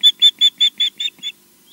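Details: Osprey chirping back at its nest at Loch Garten, Scotland: seven loud, sharp whistled chirps in an even rapid run, each slightly weaker than the last, then quiet.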